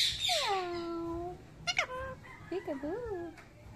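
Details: A pet Indian ringneck parakeet, a talking bird, says "thank you" in a high, nasal voice: a long falling phrase, then several short, wavering syllables, with a person's voice and music coming and going nearby.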